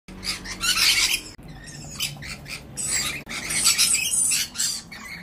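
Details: Lorikeets fighting, squabbling with harsh, rasping screeches in rapid bursts, several overlapping at once, briefly broken by short pauses.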